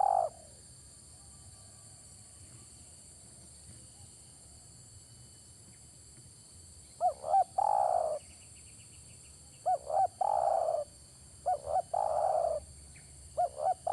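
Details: Spotted dove calling after a long quiet stretch: each phrase is two short rising coos followed by a longer, hoarse coo, repeated several times, over a steady high insect-like hum.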